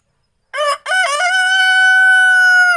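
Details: Criollo yard rooster, one of three kept together in a pen, two barred and one white: a short broken opening note, then one long, steady, strongly harmonic crow held for about two seconds.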